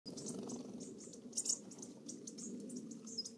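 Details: American Bushtits raiding a suet feeder give thin, very high, brief twittering notes, scattered irregularly, over a steady low rumble.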